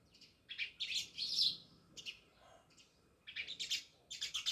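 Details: Sparrows near a village house in Jamnagar give quick bursts of high chirps in clusters, separated by quiet gaps, over a faint low background hum.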